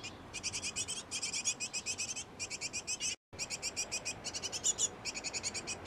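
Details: Great tit pair feeding chicks in a nest box; clusters of quick, high, rasping chirps repeat in bursts of about half a second to a second, interrupted by one brief silence.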